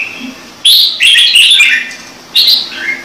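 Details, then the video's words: Singing red-whiskered bulbul with a full song used to set newly caught birds singing: a burst of high, sweet warbling notes, then after a pause a short upward whistle ending in a lower slurred note. "CHÀO MÀO | Trung Mang hót giọng chuẩn cực hay - Bổi nghe là hót"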